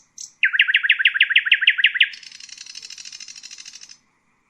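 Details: After a short high note, a common nightingale delivers about ten fast repeated chirps, then a long, dense, buzzing rattle lasting nearly two seconds.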